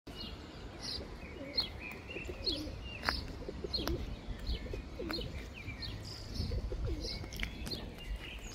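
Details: Domestic pigeon (Columba livia domestica) in Ljubljana, Slovenia, 31 May 2024: low, throaty coos every second or so, under bright chirps from small birds and a steady low city rumble.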